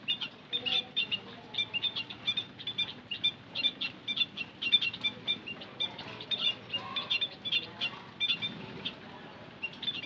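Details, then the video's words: White-headed munia (emprit kaji, bondol haji) lure call: a dense chorus of short, high, thin chirps and squeaky peeps, overlapping and irregular, rising and falling in bursts with a faint low background hum. "Suara Pancingan Emprit Kaji - Bondol Haji"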